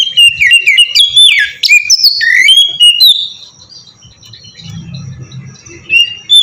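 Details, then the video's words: Kacer, the oriental magpie-robin, singing ngeplong as a lure: a fast, varied run of whistles and trills for three seconds, then quieter thin notes and a low rumble behind. "suara burung kacer ngeplong merdu sangat ampuh buat pancingan kacer bahan bikin cepat gacor"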